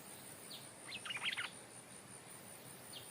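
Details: Stripe-throated bulbul decoy calling at its old home site, now held by a new resident territorial bird; a short, lively cluster of warbled, chirpy notes in the middle of the clip, with a lone high note near the end over faint noise.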